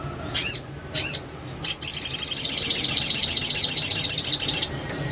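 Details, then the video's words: A sunbird gives two thin, slurred high notes, then a fast, shrill twittering run of sharp notes lasting about three seconds. "SOGON NGRIWIK NGLEPER"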